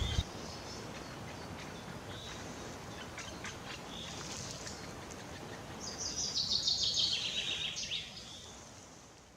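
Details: At its nest, a middle spotted woodpecker (Dendrocopos medius) gives thin, high ticking chirps several times a second, then a loud, buzzy chattering burst near the end, over steady background hiss.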